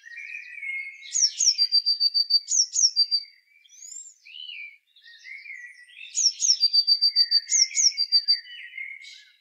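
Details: Eurasian blue tit repeating its song: high piercing double notes, each pair followed by a brief buzzy trill, in two bursts separated by a gap. Other birds warble and whistle lower down throughout.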